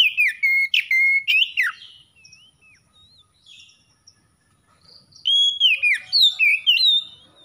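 An Oriental magpie-robin sings loud, clear whistled phrases, sliding and varied, in two bursts separated by a few soft, scattered notes.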